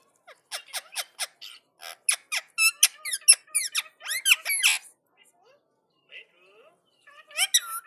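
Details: Indian ringneck parakeet talking back to another parrot: rapid series of sharp clicky squeaks, quickening into dense chattering with rising whistles, a short quiet gap with soft notes, then another burst of squeaky chatter.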